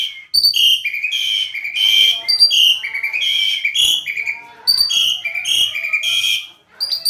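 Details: Tame Asian pied starling in steady song: repeated bright whistled notes in stepped, descending patterns with clicky harmonics, delivered in a continuous flow for several seconds.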